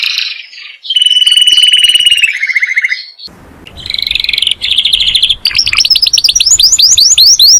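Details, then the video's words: A master canary calling to friends and fighting gives a fast rattling roll that slides downward, a short noisy pause, then pulsed trills and a rising series of sharp upswept notes repeated about four times a second. "O SOM DOS CANÁRIOS MESTRE CHAMANDO AMIGOS E BRIGAS"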